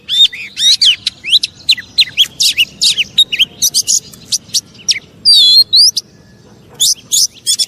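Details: An Oriental magpie-robin sings to provoke rival magpie-robins: quick series of varied whistles and sharp chirps, a rapid trilled burst in the middle, then a brief pause before more loud notes.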